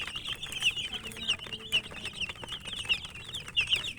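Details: Chicken chicks feeding and chirping. A steady stream of bright, piercing peeps, some rising sharply, with soft pecking clicks in the background.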